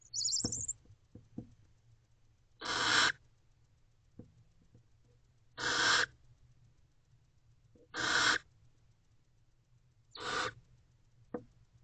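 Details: Barn owl mother checking on her owlets inside an owl box at 4 am in late April; four short, harsh hissing screeches repeated roughly every two to three seconds, with light taps and shuffling in between.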